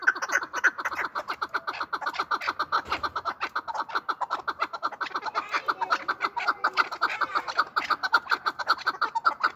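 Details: Chakor, or chukar partridge, voice used by hunters: loud, rapid chuck-chuck clucking repeated nearly twice per second in an unbroken, slightly uneven series.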